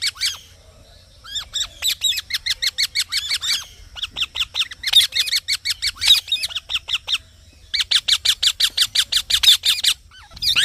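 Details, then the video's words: A green parrot chirps in long rapid trains of short, harsh, high notes, several bursts broken by short gaps, the pace fast and uneven. "Green Parrot Chirping Sounds"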